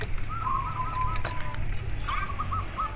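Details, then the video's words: Local zebra dove singing a fast string of short rolling coos, pausing, then starting again; strong low hum beneath and a soft rustle midway. "perkutut lokal terapi koar koar agar cepat manggung"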